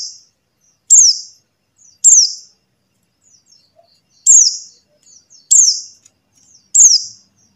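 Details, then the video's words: Buxtoni white-eye call used to lure silent white-eyes into singing: five sharp, very high chirps slurring downward, each ending in a short buzzy tail, spaced about one to two seconds apart, with faint twitters between. "suara CALL PLECI BUXTONI | untuk pancingan PLECI MACET BUNYI"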